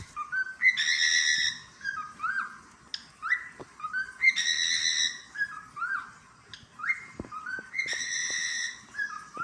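A cockatiel sings a repeated whistled phrase, rising notes followed by a bright, held warble.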